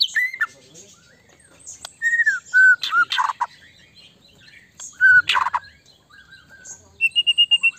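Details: White-rumped shama song meant to make another shama respond quickly: separate clear whistled phrases, some slurred and falling, mixed with short harsh bursts and a final fast run of six even notes, with quiet gaps between phrases.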